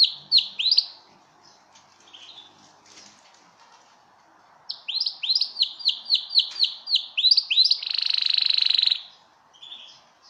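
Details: Canary song for mating, short bursts of whistled notes, then a rapid chain of sharp descending whistles ending in a loud sustained buzzy trill, with brief pauses between phrases.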